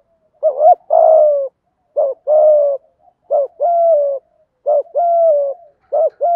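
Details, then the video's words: A steady run of five 'thúc gù' phrases from a spotted dove in 'giọng thổ' style, used to excite trained birds: each a clipped quavering note then a sustained low coo, repeated roughly every second, clean and unaccompanied. "chim cu gáy thúc gù giọng thổ"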